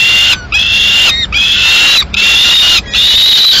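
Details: Peregrine falcons at their Madrid nest, 15 May 2016, the male arriving with a live swift for the female; long grating wails, roughly steady in pitch, repeated four times with brief pauses between.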